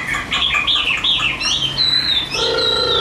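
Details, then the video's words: Caged Chinese hwamei in song: a run of clear whistled notes sliding up and down, then a sustained high whistle with a lower steady tone beneath it near the end. "HM 1505 SIÊU MẪU GIÁNG ĐẸP HÓT TỐT"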